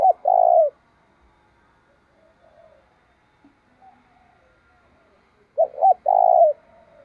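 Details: Spotted dove decoy cooing to provoke rival birds: one long mellow coo, about five seconds of faint background sound, then a phrase of two hooked notes leading into another drawn-out coo.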